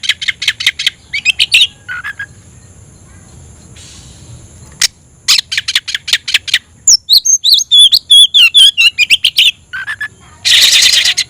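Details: Oriental magpie-robin singing to call a rival to fight: rapid bursts of sharp chirps, then a quiet gap, then a fast run of varied twisting whistles and harsh notes, ending in a loud noisy rasping burst.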